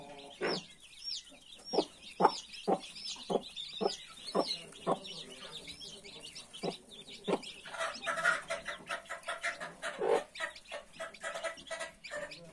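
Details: Mother hen and 31 newly hatched chicks: a steady run of short low clucks for several seconds, then a louder, rougher stretch, with high chick cheeps heard throughout.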